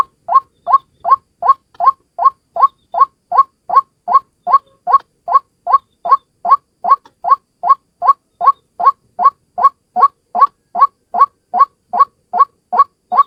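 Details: Lure call of one white-breasted waterhen (ruak-ruak), a long unbroken run of clipped, upward-bending croaks delivered at a brisk, even pace of roughly two and a half per second against silence.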